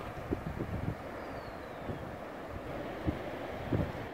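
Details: Strong wind rumbling against the microphone with low thumps and gusts; no animal call stands out.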